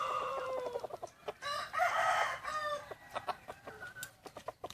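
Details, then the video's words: Wild chickens calling in the morning on Hmong New Year's first day, 2020. A fading crow opens, then a second full crow comes mid-clip, with short clucks and knocks before and after. "Qaib qus txuam qua thaum sawv ntxov hmoob peb caug xiab ib ปีใหม่ม้งวันที่1กับเสียงขัน"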